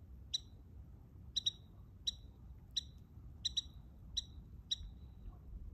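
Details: Wintertime American robin in snow, Virginia, possibly a young bird, calling with brief high chip notes, single or paired, at uneven intervals of about half a second to a second, against quiet low background noise.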